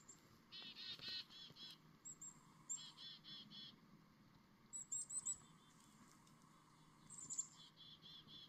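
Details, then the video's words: Chickadee heard in the morning at moderate distance, with short groups of buzzy repeated notes mixed with thin, very high chips, scattered through the clip over steady low outdoor noise. "Chickadee Morning"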